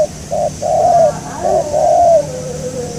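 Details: Spotted dove recorded during dove trapping aimed at a local wild bird. It gives two clipped coos followed by two longer, slightly wavering hollow notes, then the phrase fades out.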